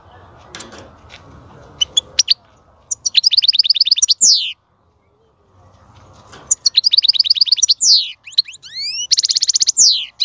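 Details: Goldfinch song for encouraging a female to breed, starting amid low background rumble with a few chirps, then breaking into fast rattling trills, buzzy notes and upward-sweeping whistles, with a silent pause between outbursts.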